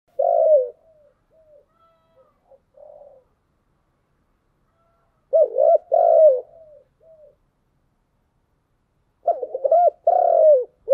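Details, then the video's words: Spotted dove singing in the giọng đồng style: three cooing phrases, each a quiet murmured lead-in followed by loud, hollow, falling coos, repeated about every five seconds with silence between. "Cu gáy giọng đồng"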